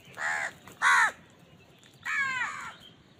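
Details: House crow at food giving two quick harsh caws, a pause, then one longer drawn-out rasping caw.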